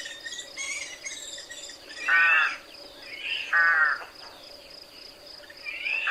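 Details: Rook, a wild member of the crow family: two strong harsh caws around the middle, a softer caw at the end, and fainter squawks and calls in the background.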